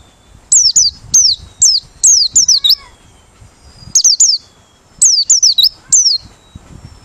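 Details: Open-beak song of a Merapi 'ngalas' white-eye, suited for luring birds: energetic bursts of four or five thin, high, down-slurred whistles, separated by pauses of about a second.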